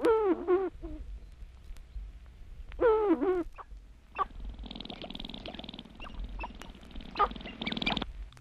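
Sharp-tailed Grouse giving two low, wavering cooing hoots, then several seconds of harsh, scratchy clucking and chatter.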